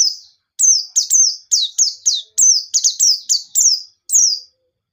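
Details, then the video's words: White-eye (pleci) in vigorous forest-style "ngalas" song with "nembak" shooting notes, used as a lure to get other white-eyes singing. Roughly eleven high, sharp, downslurred whistled phrases in five seconds, some paired in quick doubles. No background noise. "Burung Pleci Gacor Ngalas Nembak || Pancingan Penggacor Pleci Bahan"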